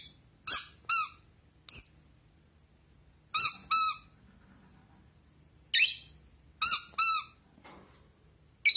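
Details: Captive blue Rosy-faced lovebird replying to a toy duck in a small room: irregular bursts of piercing squeaks and rasping squawks, often in pairs, with short silences between clusters.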